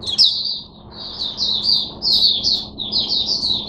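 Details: Caged Oriental white-eye recorded on 5 May 2022 singing a continuous run of high, thin, slurred chirps and warbles, the notes sliding up and down in quick succession with barely a pause.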